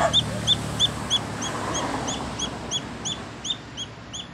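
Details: Little chick searching for its mother, peeping loudly: short high downward-slurred peeps about three per second over a steady background hiss.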